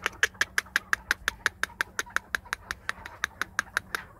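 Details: Captive chukar partridge (keklik) calling as its owner urges it on: a steady run of short, sharp clucking notes, close to three per second, evenly paced for the whole stretch, with faint room noise beneath.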